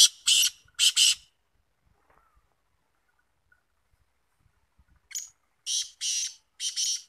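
Black francolin giving harsh, grating notes: a pair of rasping bursts, a pause of about four seconds, then a phrase of four more.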